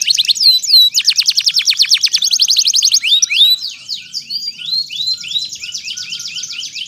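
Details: Canary lure song with pauses, aimed at restarting canaries that stopped singing and at tutoring two-to-four-month-old birds; downswept notes, a long rapid rolling trill, then softer rising and falling chirps.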